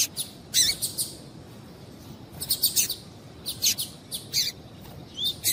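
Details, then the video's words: Double-collared seedeater female call used to stimulate the male, with a male singing: rapid clusters of sharp, high chirps in short bursts, repeated irregularly, over a faint steady hiss. "COLEIRO TUÍ-TUÍ COM FÊMEA CHAMANDO ESQUENTAR COLEIRO"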